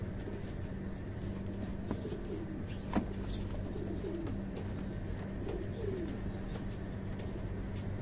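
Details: Fancy pigeons at a breeding farm give soft, low, rolling coos near two, four and six seconds. A steady low hum and faint background clatter run underneath.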